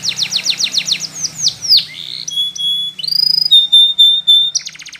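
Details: Training song from a Spanish Timbrado canary: a run of quick descending swoops, then steady pure whistled tones held at one pitch, ending in a fast buzzy trill.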